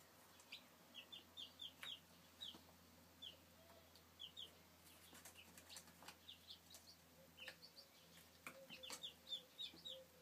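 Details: Brood of young chickens cheeping steadily, with high, brief, falling peeps tumbling over one another at an uneven, busy pace, plus occasional sharp taps and rustles in the background.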